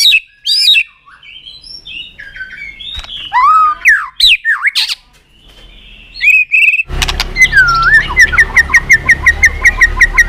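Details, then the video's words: White-rumped shama giving loud, varied whistles and slurred chirps. Then comes a noisy stretch with a fast, regular train of clicking, ticking notes over a drawn-out whistle. "Keganasan murai batu diam jadi rajin bunyi kembali"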